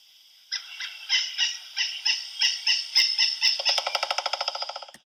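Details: Pileated Woodpecker by the Nashua River, Nashua, New Hampshire, July 2012, giving a loud series of ringing, nasal notes, about four a second, that quicken into a rapid, tighter run at the end.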